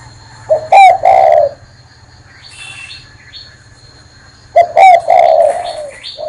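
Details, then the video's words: Spotted dove cooing while perched on a hand: two loud bursts of deep, mellow coos a few seconds apart, each a short note followed by a drawn-out one, with sharp high chirps from other birds in between. "CHIM CU Đậu trên tay vẫn gáy"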